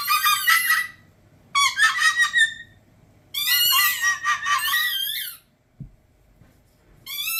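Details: Pet umbrella cockatoo, male, performing a sound he was taught, gentler than his normal screams: bursts of rough, pulsing, harmonic squawks, a long sweeping squeal, a soft thump, then the squeal starting again.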